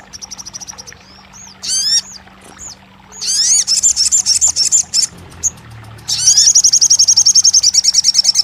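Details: Crested jay sound meant to make a bird that has stopped singing open its beak and answer: bursts of fast, high, rattling trills alternate with short gaps and a few separate slurred whistles, over a faint steady low hum.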